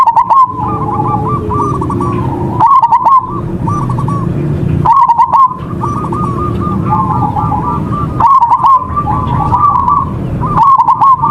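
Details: Local zebra dove singing vigorously as a lure to trigger other doves: long series of stuttered, rolling coos at a constant pitch, interrupted about every two to three seconds by bursts of dry clicks, over a low drone.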